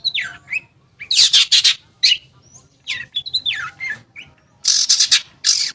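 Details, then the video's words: Long-tailed shrike, a lure to make quiet shrikes sing: loud grating rasps alternate with slurred descending whistles and a short chip, in irregular phrases. "Pancingan Cendet Ampuh, Pancingan Cendet Bahan Atau Macet Bunyi, Cendet Macet Akan Ikut Bunyi"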